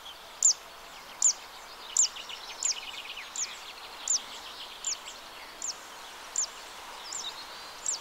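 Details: Zitting cisticola singing in a wetland at the Arzal dam, Morbihan, on 2 June 2023: sharp, high 'zit' notes repeated roughly every 0.7 seconds, about eleven in a row, over softer warbling from other birds and a steady background hiss.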